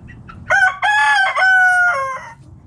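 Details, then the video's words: Rooster in a backyard flock foraging in the morning crows loudly, a harmonic call in several linked parts over about two seconds, preceded by two short soft notes, with faint low background noise. "Back Yard Chicken Flock Foraging In The Morning!"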